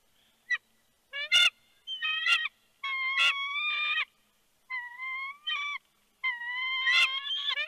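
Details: At a Big Bear bald eagle nest on 3 February 2020, 4:17 PM, with a fish delivered: short broken chirping notes at first, then longer level whining calls repeated with pauses, loud and close to the camera.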